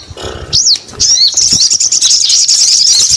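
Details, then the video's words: Sogon song opening with a single looping whistle, then a sustained stream of fast high chattering notes and trills. "SUARA SOGON GACOR"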